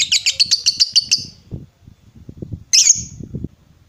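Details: Vocal lovebird lure to make other lovebirds answer: a quick, buzzy, high trill of about ten pulses, then a low rumbling background, and one shrill, bent squawk.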